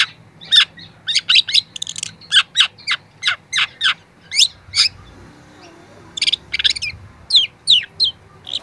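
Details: Young long-tailed shrike singing in training audio: repeated high, sharp chirps in quick, evenly spaced series, then a short pause and more clustered high notes toward the end.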